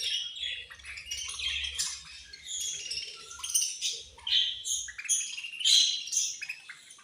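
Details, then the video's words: Caged budgies at feeding time, called angry while eating, keep up continuous scratchy warbling and sharp chirps from several birds, louder toward the end, over faint low rumbling. "My Beautiful Budgies Angry Eating And Chirping Sounds"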